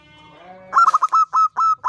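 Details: Champion local zebra dove (perkutut) singing energetically in ngancing style: a soft rising lead-in, then a loud run of short, clipped cooing notes ending in longer held tones, with harmonics above.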